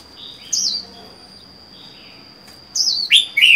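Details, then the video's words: Caged red-whiskered bulbul, solitary and wild-caught four months earlier: a falling whistle, quiet gap, then a loud rising-falling warbled phrase at the end, over a continuous high electronic tone. "Chào mào một mình một nhà có thể căng được không?"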